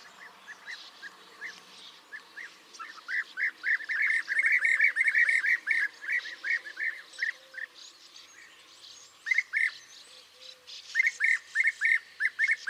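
European bee-eaters giving rolling, liquid 'prruip' calls, short burry notes repeated several times a second, with a few birds overlapping against faint background hum.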